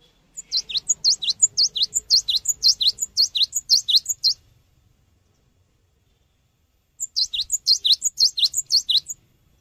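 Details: Cinereous tit song serving as a lure for training birds: a long, steady series of roughly twenty high, sharp chip-and-dip whistle pairs over four seconds, a pause, then a shorter burst of the same notes.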